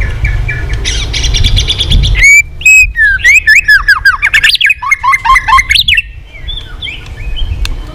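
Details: White-rumped shama in competitive song with tail flicking: after a noisy start, a burst of varied looping whistles, rising and falling slurs in quick succession, fading into softer warbles.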